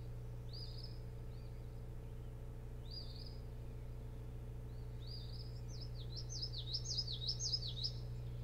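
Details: Osprey at a boat house nest on Hog Island near Bremen, Maine, at night on 24 June 2018: short downslurred whistled chirps, then a fast run of zigzagging squeaky whistles, faint over a steady low electrical hum.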